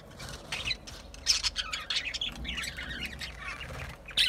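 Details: Budgerigars chattering in scratchy squawks and buzzy warbled phrases, with some low background rumble and a louder squawk burst at the very end.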